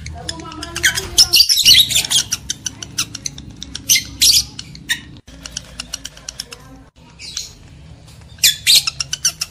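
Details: Lovebird sounds meant to arouse breeding males and females: bursts of shrill, grating squawks mixed with quick ticking chips, uneven in timing, over steady low background hum.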